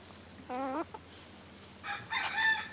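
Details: Free-ranging Silkie chickens on a farm yard: a short harmonic, slightly wavering squawk, then after a pause two louder, buzzy, nasal calls rising in strength, over quiet background hum.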